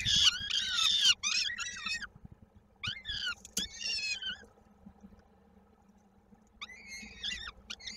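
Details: Peregrine falcon chick at its nest in Koszalin, Poland, 16 May 2022, calling while fed, its foot caught in a beak. Shrill, raspy cries at first, then near silence before fainter calls return.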